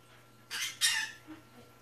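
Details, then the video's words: Pet African parrot learning words at home gives two quick raspy, breathy bursts, back to back, followed by a fainter short note, over a constant low electrical hum. "African Parrot talking"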